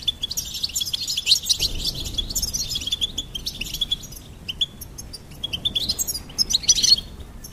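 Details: Goldfinch song of rapid high twittering and jingling trills, busy at first, thinning to spaced chirps, then a final bright flurry.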